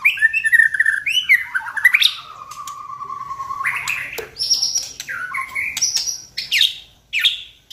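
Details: White-rumped shama song used as a lure to provoke singing, with varied whistled phrases: long level whistles, sweeping upslurs and sharp high notes, interspersed with clicks and a low background hum.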